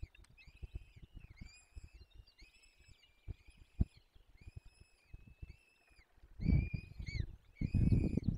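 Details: Peregrine falcon nestlings being fed at a forest nest, Barycz Valley, 17 April 2024: a steady series of nasal, harmonic whining calls, each under a second, repeating roughly every half second, with rustling and heavier thumps toward the end.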